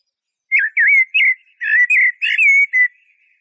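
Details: Eurasian blackbird singing: a quick run of about eight rich, fluty whistled notes, some slurred and warbling, others rising, packed into two seconds with faint thin high twitter above, on an otherwise silent background.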